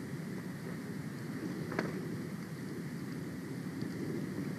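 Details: Continuous rain-like hiss and low rumble with one sharp click, and no animal voice.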